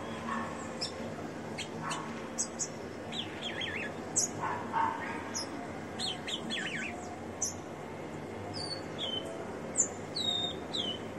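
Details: Captive ringed rufous-collared sparrow (tico-tico) singing a little after being worked, giving thin high whistled notes and short downslurred chirps scattered through the clip, with a zigzag trill near the middle over steady low background hum.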